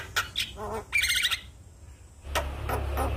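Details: Javan myna lure song recorded in the morning to rouse a quiet bird: a few scratchy chirps and a buzzy burst, a pause, then more harsh notes over a low hum.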